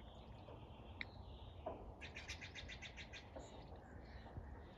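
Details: Bird calling beneath iridescent clouds: a quick burst of about eight high, bright chirps in rapid series near the middle, a few isolated short notes before and after, over a constant low rumble.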